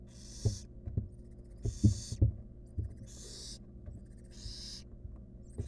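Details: Barn owl nestling, wild, in a research nest box, struggling to eat a rodent it stole. It gives four rasping, drawn-out hisses spaced about a second or more apart, with knocks and shuffling underneath.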